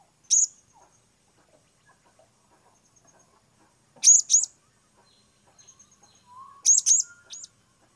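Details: Blue-crowned hanging parrot tested for the first time: sparse, very high, shrill double notes, each pair squeaky and sharply pitched. The pairs are separated by several seconds of near silence.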